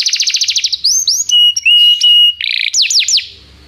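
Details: Canary singing as a tutor for a young canary: a rapid trill, rising slurred notes, long pure whistles broken by clicks, then a buzzy burst and a few sweeping falling notes before fading.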